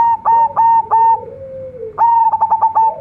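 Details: Young local zebra dove kept as a lure bird, singing a bright coo: two bursts of fast, clipped mid-pitched notes that end in a steady held tone, with a soft low murmur between them and a quiet indoor background.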